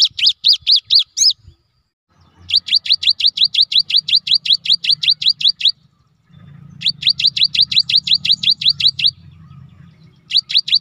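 Cinereous tit singing in fast bursts of sharp, high, repeated notes, about ten per second, each burst lasting a few seconds, over a low background hum.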